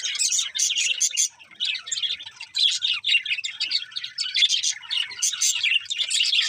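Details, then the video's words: Several contented budgerigars chatter as they eat, producing rapid bursts of sharp chirps and rolling warbles that come in clusters separated by short gaps. "Happy Budgies Singing and Eating"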